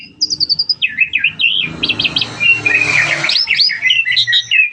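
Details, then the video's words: Starling in full song: quick rising whistled notes repeated in a series, then a busy warbling chatter of varied twittering phrases, with a low murmur of background noise beneath. "burung jalak paling gacor"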